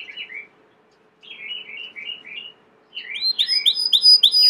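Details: Domestic Belgian canary twittering in soft clusters of rapid warbled notes with pauses, building into louder, higher swooping phrases and ringing whistled tones.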